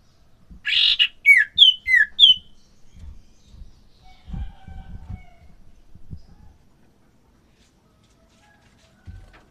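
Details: Captive common iora pair, male and female, held together for pairing so they will mate and lay eggs; a harsh burst then three or four loud whistled slurred notes, followed by soft chirps and low thumping knocks.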